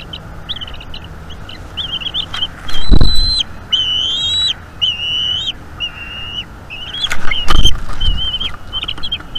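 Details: Bald eagle eaglet at a northeast Florida nest cam during an evening feeding on 5 May 2021. Thin, whistled high notes, some level and some slurred, are repeated, with two loud knocking thumps from the nest.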